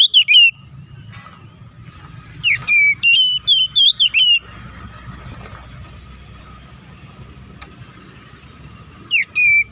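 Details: Oriental magpie-robin fighting song played to provoke other birds into anger. Short bursts of shrill whistles and downslurred notes start and end the stretch, with a longer middle burst of quick repeated phrases over a steady low hum.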